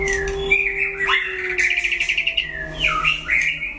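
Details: White-rumped shama song in a rival duel: a smooth whistle, then a fast buzzy trill of rapid repeated notes, followed by looping slurred whistles. A faint steady hum is in the background.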